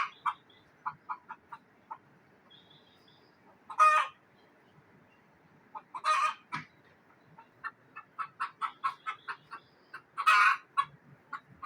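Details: Hen frightened in a village in Neelum Valley, Kashmir, with scattered clucks and three loud, hoarse, drawn-out squawks spaced a few seconds apart; a quicker burst of clucks builds just before the last squawk.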